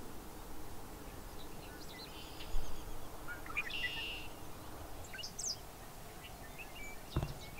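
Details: Bobolink sounds over a low rumble: a flat buzz, a few sharp high chips and scattered twittering notes, with a thump near the end.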